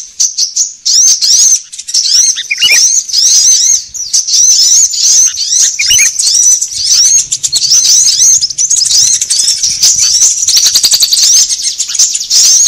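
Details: Sunbird lure sound used by bird trappers and to get caged birds singing: a long, steady stream of high, scratchy twittering chirps, sometimes dropping into lower slurred notes.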